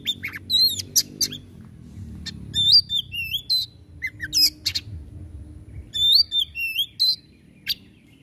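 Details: Oriental magpie-robin (kacer) singing in 'tembakan' fashion: short phrases of bending whistles and scratchy bursts, separated by pauses of about a second.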